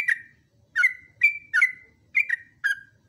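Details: Yellow-vented bulbul singing for a training recording: separate rich whistled notes, some slurred downward, spaced about half a second apart, with a clean background.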